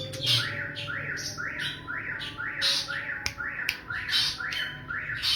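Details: Sparrows fighting: harsh, squawking chirps repeated about twice per second, each with a rising-falling buzzy note, over steady background hum.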